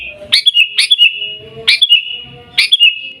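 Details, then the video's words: Sooty-headed bulbul in Pidie, Aceh, Indonesia, singing the Garuda-style song: loud, bright whistled phrases opening with a sharp rising flick and settling into an even note, about three phrases in three seconds. "Gaya Garuda Burung Kutilang"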